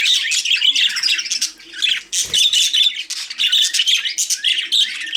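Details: Budgerigars chirping and squawking in quick, buzzy bursts, with a short lull and a soft thud in the middle.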